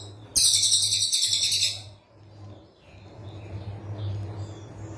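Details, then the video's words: Rufous-fronted Babbler gives a dense, very high, rapid trilled burst lasting about a second and a half, then falls silent over a steady low hum. "Tembakan Cililin Coklat Rapat"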